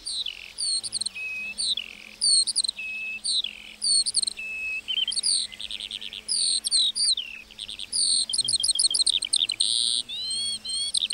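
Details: Meadow-singing lark with an extended, rambling high warble that alternates chirpy phrases with short steady whistles, then speeds into dense rapid trills and rising notes toward the end.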